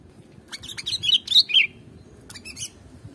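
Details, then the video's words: Sooty-headed bulbul singing a quick burst of bubbly, slurred whistled notes, bright and rising then falling, packed into about one second and followed by a few softer chirps; meant to stimulate other birds; low background hum. "Gampang Ke Pancing Kalo Burungmu Dengar Suara Kutilang ini"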